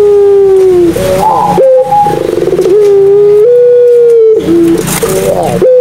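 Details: Barbary dove of the Madura puter pelung type, a lure for non-calling doves: falling held coo, a quick warble, a buzzing purr, then a long steady tone rising slightly, with more rolling notes after.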